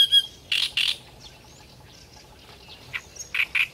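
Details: Great reed warbler in full-throated song, giving loud, broad, rasping croaks in pairs, separated by a quieter stretch with faint thin notes.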